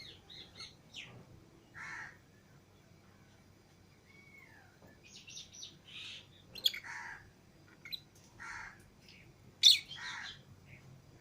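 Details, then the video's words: Fischer's and lutino lovebird pairs, pets let out of the cage together, produce scattered shrill chirps, short squeaky notes and one sliding whistle, with a loud piercing squeak near the end and quiet pauses between. "Love Birds Singing And Chirping Sounds"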